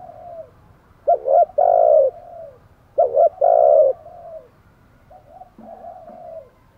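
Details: Spotted dove kept as a decoy for luring wild doves; two loud phrases, each a quick double note followed by a long, full coo, separated by soft trailing notes and quiet murmurs.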